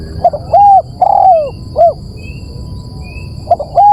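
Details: Spotted dove lure call: soft hooked notes, a long falling coo and a short closing coo, then a new phrase starting after a pause. There is faint distant chirping and a steady high electronic tone behind.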